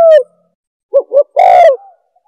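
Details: Spotted dove lure call for attracting doves: the tail of one coo, a pause, then two quick soft notes leading into a long, rough, falling croo, with nothing else audible.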